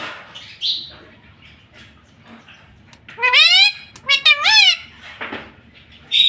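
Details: Talking pet parrot, a green ring-necked tota, quiet at first with faint chatter, then bursting into a rising nasal phrase and two wavering word-like syllables, with a short squeak at the end.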